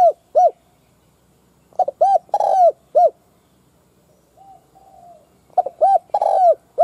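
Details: Spotted dove used as a decoy bird, cooing to lure wild doves: clusters of low hollow coos, two short notes then a longer burred coo, repeated twice with a pause between phrases.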